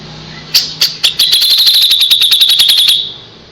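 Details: A kapas tembak's rapid song, used to train white-rumped shamas: a few sharp separate notes speed into a fast, even, piercing trill of repeated high notes lasting about two seconds.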